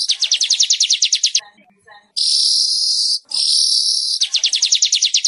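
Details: Weaver singing to prompt caged birds that have gone quiet: a rapid rattle of sharp notes, a short pause, two long sizzling buzzes, then another fast run of ticking notes.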